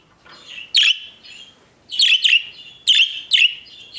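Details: Pet budgerigars (Melopsittacus undulatus) singing with bright, scratchy high chirps in quick bursts, often paired, with short pauses.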